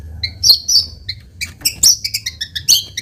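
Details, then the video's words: White-rumped shama singing as a lure to provoke a response: rapid bright chirps and short whistled notes, many with sharp clicks, in quick irregular bursts. "PANCINGAN MURAI BATU GACOR CEPAT RESPON LANGSUNG BUNYI"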